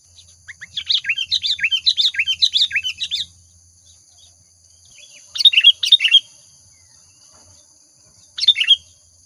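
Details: Sooty-headed bulbul lure song opening with a long run of quick rising-and-falling chirps, followed by two shorter bright phrases after a pause, over a low faint hum.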